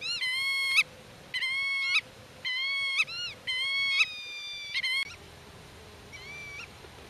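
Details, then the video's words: Black-tailed godwit in nest defence, calling to young hidden in grass and against intruders: a run of six flat, strained nasal calls, each about half a second, ending with a fainter distant call. "Rycyk w obronie gniazda - Limosa limosa"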